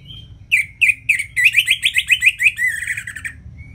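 Orange-headed thrush singing a quick run of bright, rich notes, some slurred and rising, ending in a rapid tumbling flourish; faint low hum beneath.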